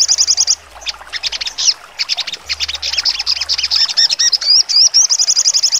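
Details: Sogon, crimson sunbird, singing sharp trotol: a short high trill, dense scratchy chirp clusters, then looping whistled slurs building into a rapid, even trill.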